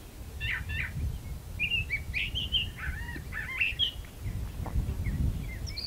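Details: A brown thrasher (Toxostoma rufum) in a magnolia tree sings a fast run of varied, rich phrases, some chirpy and some slurred, over a steady low rumble of background noise.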